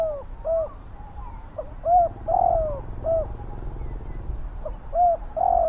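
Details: Loud, deep cooing from a spotted dove kept to lure wild doves. Phrases of short coos, each with a longer descending middle note, repeat about every two seconds over a quiet hum.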